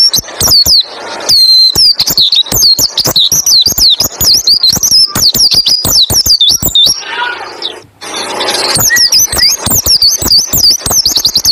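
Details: Long rolling 'tembak ngalas' song of a white-eye, played to set other white-eyes singing: fast cascades of high thin whistles and dry clicks, a short pause and hissy break around the middle, then the rapid twittering resumes.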